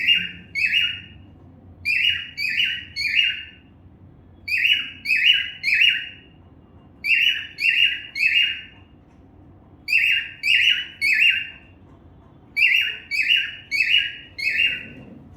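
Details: A cockatiel (Nymphicus hollandicus) sings bright, slurred whistled notes in quick groups of three or four.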